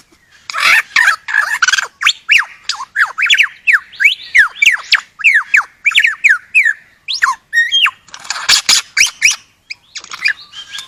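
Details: Australian forest lyrebird pouring out a long, fast series of sharp downslurred whistles and clicks, broken by noisy crackling bursts near the start and about two-thirds of the way through.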